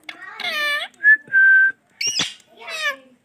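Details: Male ringneck parrot talking in a mimicked, speech-like voice: a harmonic syllable, two short clear whistled notes, then two more nasal word-like syllables, indoors with a quiet background.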